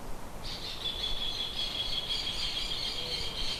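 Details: Bird inside a shed giving one long, steady, high squawky note that starts after half a second and runs unbroken to the end, with a faint low background hum.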